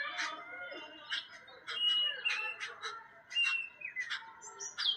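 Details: Jungle babbler (saat bhai champa) encountered unexpectedly; a busy run of rasping, squawky notes in irregular bursts, with several overlapping callers and brief thin whistles mixed in.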